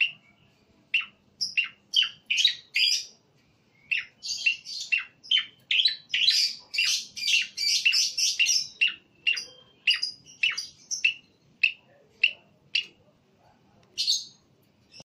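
A male Sooty-headed Bulbul sings a lively run of short, bright chirping notes, about two a second, in bubbly bursts with brief pauses. No other sounds are heard.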